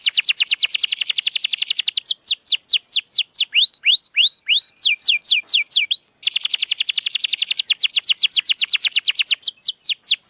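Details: Canary song used to stimulate mute canaries: fast buzzy trills alternate with slower runs of sweeping, falling whistles, repeated in changing tours.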